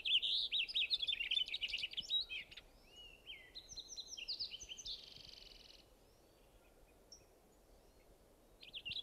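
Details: Cassin's Finch warbling song of quick, high, jumbled notes with some mimicry; another bird's clearer whistled phrases follow, then typical Cassin's Finch "pit-slick" calls at the end.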